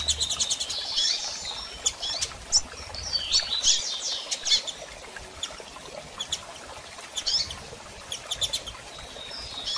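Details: Female double-collared seedeater calling, used to get a male singing again after moult; quick high tick series and thin slurred chirps, spaced irregularly.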